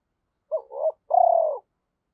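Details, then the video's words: A single cooing phrase from a decoy spotted dove calling to attract wild birds: a short wavering double note followed by a longer, purring coo that drops gently at the end, in quiet surroundings. "Chim Cu Mồi Gáy Gọi Giọng Hay Và Rất Sát Bổi"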